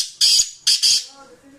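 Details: Sindhi black francolin, described as a fearless bird, giving a loud harsh rasping call: one short grating note, a pause, then two longer scratchy notes in quick succession, in a quiet small room.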